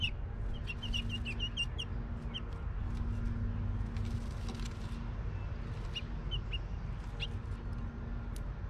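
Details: House finches building a nest at a backyard house, on a platform under the gutters, give short, bright chirps in quick clusters, then pause, over a steady low rumble and hum.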